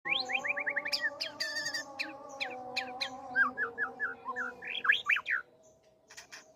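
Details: White-rumped shama courting and pouring out its full repertoire of fill-in phrases: rapid runs of short slurred whistles, clicks and chattering notes tumbling over one another, louder at the start and again near the end, over a steady low humming tone.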